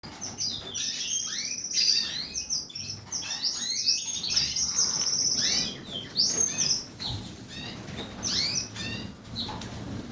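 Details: Several canaries (Serinus canaria) sing in a bright, continuous stream of high twitters, rapid trills and sweeping chirps, overlapping throughout.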